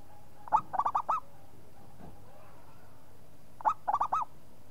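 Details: Local zebra dove in strong song: two phrases about three seconds apart, each a sharp first coo then three or four fast, bubbling, rising coos. A faint click falls between them.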